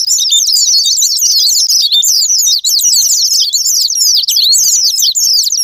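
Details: Sparring-partner white-eye (pleci) song used to provoke captive birds to sing: a continuous, very fast jumble of shrill, slurred notes with almost no breaks.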